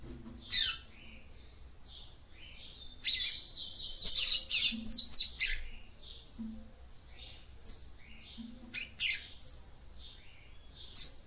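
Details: Female capped seedeater singing, used to stimulate the male: scattered short high chirps and buzzy notes, a denser burst of twittering around the middle, then isolated sharp whistled notes with pauses between.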